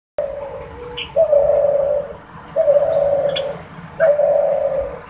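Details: An F1 hybrid male dove (Spotted Dove male × pink Ring-necked Dove female) gives three low, drawn-out courtship coos about a second and a half apart, each starting with a brief higher note, in a quiet room.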